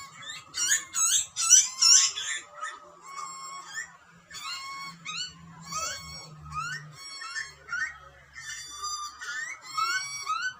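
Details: A hungry wild Australian butcherbird chick screams for food while being fed by its parents: harsh, insistent rasping squeals, two or three each second, rising in urgency, over a faint low hum.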